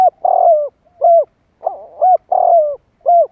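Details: Spotted dove luring other doves: loud, close coos alternating long burry downslurred notes with short bell-like hooked notes, two full phrases in quiet surroundings.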